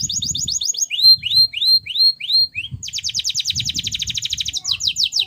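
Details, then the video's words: Canary singing, shared to coax silent, lazy canaries into song: a fast high trill, then looping arched whistled notes, then a dense rattling roll of quick repeated syllables, with faint low background noise. "obat ampuh kenari macet dan malas bunyi"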